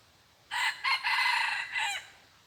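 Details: Decoy red junglefowl, said to crow just twice, delivering a strong raspy four-part crow: brief first syllable, quick second, long drawn middle, and a shorter dropping final note, with low background hum.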